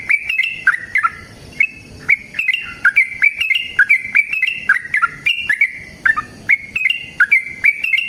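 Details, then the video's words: Sooty-headed bulbul in lively long fighting song, used to coax other bulbuls into singing: bright, clipped whistled notes with a bubbly feel, each sharp and quick, repeated at a brisk, uneven pace with short pauses. "TRUCUKAN GACOR TARUNG ROPEL PANJANG"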